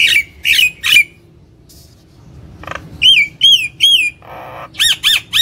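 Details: Nias hill myna in full gacor song for attracting other birds: three harsh ringing notes, a pause, a buzz, then repeated loud arching whistles and sharp squawked notes in quick succession.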